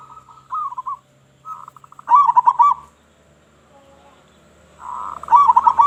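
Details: Local zebra dove used to lure other doves: short trilled cooing phrases, a few bubbling notes each, given in two bursts with a pause between, plus a faint low hum.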